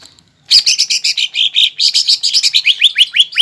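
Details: Captive green leafbird singing its fighting-style song, stuffed with mimicked phrases, meant to provoke a rival: after a short silence, a dense run of bright chirped notes, ending in a series of quick rising slurred whistles.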